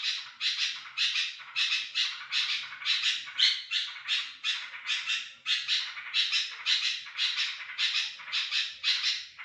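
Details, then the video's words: Sooty-headed bulbul recorded to lure others of its kind: unbroken run of harsh, raspy bursts at roughly two per second, even in loudness throughout, nearly no background sound. "Kutilang gacor garuda cocok untuk pancingan kutilang lain"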